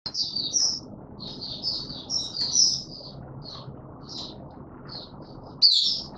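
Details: Male white-eye (mata puteh) in open singing on 31 December 2021, pushed toward form: short bursts of high, thin twittering phrases separated by pauses, the final burst louder, over a low steady background hum.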